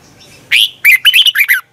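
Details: Red-whiskered bulbul decoy song from a morning practice session: one drawn-out opening whistle followed by five rapid, tumbling bright notes, then silence.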